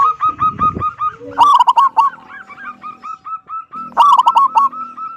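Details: Zebra dove of local stock, noted for a loud 'kung' voice and used to lure other doves into singing, gives rolling strings of hooked notes broken by two loud, rattling clusters, with a brief low scratchy noise near the start.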